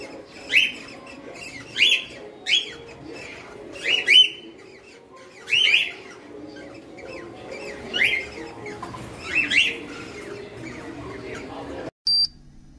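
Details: Two cockatiels (Nymphicus hollandicus), aged 5–6 months, give loud, shrill whistled calls that rise and fall, repeated every second or two.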